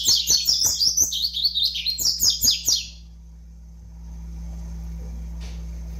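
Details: Double-collared seedeater chick, five months old, pouring out about three seconds of fast, high, buzzy twitters before falling silent, leaving only a low hum and faint background noise.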